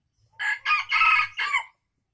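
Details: A loud four-part crow of an Aceh junglefowl in Indonesia, used as a lure for wild birds: short harsh opening notes, a longer third syllable and a clipped close, all within about a second and a half.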